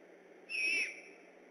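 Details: A great horned owl on alert at night near the Decorah eagle nest, 3 October 2015, gives one thin, whistly, slightly hoarse screech of about half a second.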